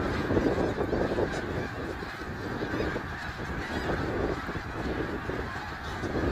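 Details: Flock of snow geese at Middle Creek Wildlife Area, 3 March 2022, producing rapid overlapping honks in a constant, churning chorus throughout.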